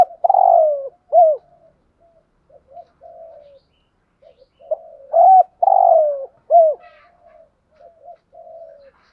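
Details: Spotted dove decoy cooing: loud, hoarse, down-slurred coos in pairs, each group followed by quiet mumbled notes, with the phrase repeated twice.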